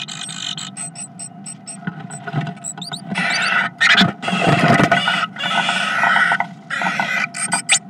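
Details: Two great tits exchange threats in a nesting box: a run of thin, very high repeated notes and a few quick chirps, then long harsh, rasping, scratchy threat bursts.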